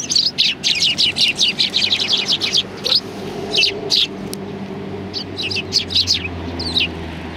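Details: On 30 January 2020, sparrows gathered on a bench at Tenmangu shrine: a rapid string of bright, high chirps at the start, then sparser tweets and a final few notes, with a low steady hum behind.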